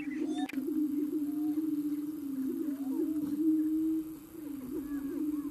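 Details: Greater prairie-chickens at a lek of over 35 birds of both sexes near Wray, Yuma County, Colorado, on April 14, 2019. Males boom with inflated air sacs to attract females: low, hollow, overlapping hoots forming a moaning drone, with faint cackles and whoops.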